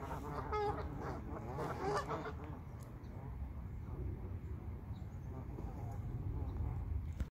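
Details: Geese on a pond give a quick burst of nasal, harmonic honks in the first two seconds, then fainter scattered calls over a constant low rumble.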